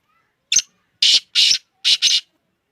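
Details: Black francolin (kala teetar), a speeder bird offered for sale, calling loudly: a brief opening rasp followed by two pairs of hoarse, grating bursts across roughly two seconds, against quiet.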